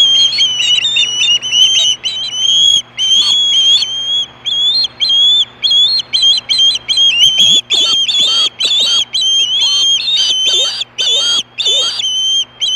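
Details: Hellgate osprey, 2014, calling for fish around 4:19 PM: insistent high whistles repeated nonstop for over twelve seconds, growing denser in the second half, with a few lower swooping sounds mixed in and a background hum.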